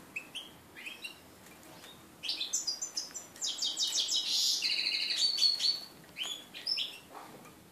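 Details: Red-breasted flycatcher x canary mule from 2013, first song after its moult, recorded 11 January 2014; scattered high chirps open into a rapid rattling trill and a sustained bright whistled phrase, then a few more chirps.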